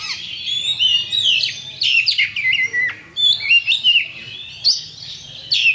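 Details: Champion kacer (Oriental magpie-robin) giving a lure song to trigger rivals: loud, varied whistles with steep downslurs and sharp upward flicks in bursts, with brief pauses between phrases.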